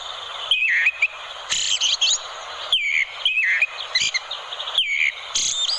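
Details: Melodious song of an orange-headed thrush, used as training material for other songbirds: quick warbled phrases with downward-curving whistled notes, interspersed with sharp high twittering and brief rasping bursts, repeated in short runs.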